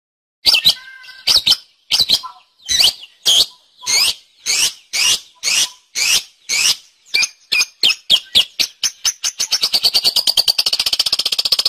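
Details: Long-tailed shrike (cendet) in vigorous gacor song, used as master audio for training songbirds: a series of loud, sharp, rising notes at about two per second, then a fast, even rattling trill toward the end.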